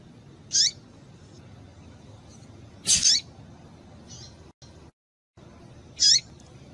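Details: Calling female double-collared seedeater, used to excite and stimulate males: three sharp high calls dropping quickly in pitch, the middle one doubled, about one every two to three seconds, with a softer faint note between over low background hiss.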